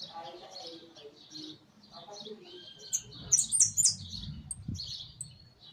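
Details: A hooded siskin singing inside a large cage: soft chattering leads into a loud cluster of very high, sharp twittered notes near the middle, followed by lower rumbling sounds and a few faint chirps.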